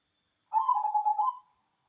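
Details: ['Single manggung phrase from a local wild-type cemani zebra dove: about a second of quick, stuttering, soft coo pulses that end with a brief lift, heard in silence.']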